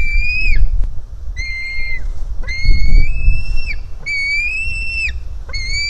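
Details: Hungry white-tailed eagle young begging from its mother at the nest, live nest camera, 4 July 2018: drawn-out, high, thin whistles with a slight upward slur, several spaced notes of about one second each.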